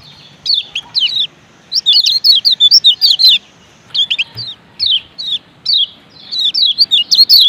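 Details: A male lemon-bellied white-eye from Lombok gives bursts of quick, high, thin chirping notes, each lasting a second or so, separated by brief pauses, with no other sounds standing out.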